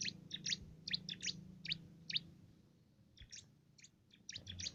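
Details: Cimblek, a bar-winged prinia prized for its loud voice, delivering a canary-like song to train contest birds: scattered clusters of sharp, high notes that thin out midway, then resume.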